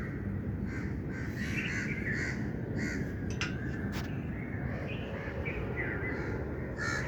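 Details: Rough, cawing bird calls sound in loose groups, with a couple of sharp clicks in the middle and a persistent low rumble underneath throughout.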